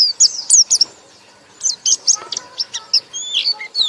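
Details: White-eye singing loud ngekek-style song: bursts of high, sharp chirps and quick rising-falling whistles, a pause of about a second, then more scattered notes and a short twittering phrase.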